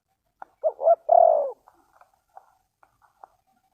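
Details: Spotted dove, recorded in a bird-trapping context, utters one phrase of two quick rising hoots and a sustained falling coo, then quiet scattered clicks.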